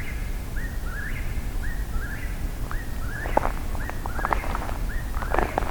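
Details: Several Eastern Whip-poor-wills singing at night during a nocturnal birding hike, with more than one bird calling. Short slurred rising-falling whistled phrases repeat quickly and overlap, over a steady low rumble and a few sharp clicks near the end.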